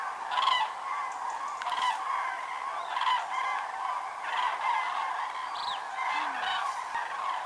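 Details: Common cranes during autumn migration at Lac du Der-Chantecoq, France, November 2014, where over 206,000 gathered in a world record; a throbbing chorus of trumpeting calls rising and falling in waves roughly every second.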